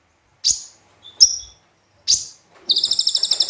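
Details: Javan white-eye (konin) gives sharp, high chips spaced about a second apart, followed by a fast, thin trill of bright repeated notes. No other sounds are heard.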